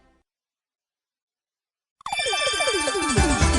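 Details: Two seconds of silence, then a bright, busy burst of music with quick descending tones; no animal voice.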